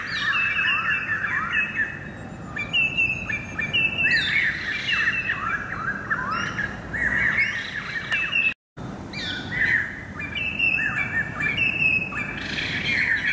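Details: Greater racket-tailed drongo in song on 7 February 2018, a busy, varied stream of rising and falling whistles, chirps and twangy notes with hardly a pause, broken once by a brief moment of silence.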